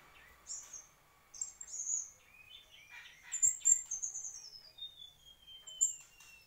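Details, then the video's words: Mangrove whistler song: clear high whistled notes near the top of the range, a few short buzzy phrases, then a long thin whistle sliding slowly downward over about two seconds; other faint chirps behind. "Tledekan asli bakau"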